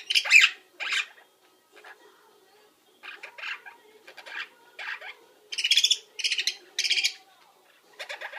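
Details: Pet parrot during its nap routine, mimicking lineolated parakeets, budgies and microwave beeps: bursts of harsh, buzzy chirps and squawks, some short and clipped, others in quick clusters, separated by brief silences.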